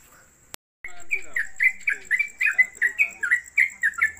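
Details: After a brief click and a moment of silence, a caged Yellow-vented Bulbul (trucuk) on a gantangan pole at home launches into rapid 'konslet kemedol' song, about a dozen bright, bubbly chirps in quick sequence.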